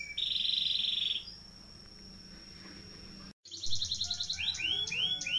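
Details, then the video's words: Caged canary singing long rolls as a tutor recording: a bright buzzing roll for about a second, a pause, then a quick high trill and a string of short rising-falling whistled notes. "SUARA KENARI NGEROLL DURASI PANJANG"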